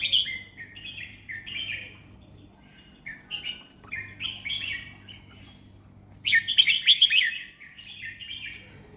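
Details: Red-whiskered bulbul, a Thai competition songbird, singing relaxed song phrases: short bubbly whistled notes around 2 to 4k in quick groups, with a louder burst of warbling near the end and faint low hum beneath.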